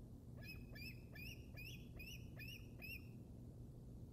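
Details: Juvenile bald eagle at the Decorah North Nest, Iowa, 02/07/2021: faint, thin high piping notes repeated about seven times at a steady pace, each a short slurred chip, over constant low wind or rumble.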